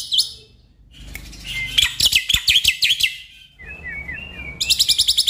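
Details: Black-winged myna, a stressed caged bird, with song used to prompt it to sing: a sharp high note, then a fast run of harsh buzzy chirps, a few thin rising whistles, and a closing burst of rapid chirps.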